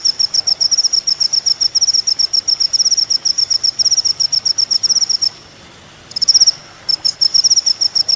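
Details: Olive-backed Sunbird (kolibri ninja) recorded as training material for songbirds, giving a long, very fast train of thin high ticking notes, briefly broken near the end, then resuming.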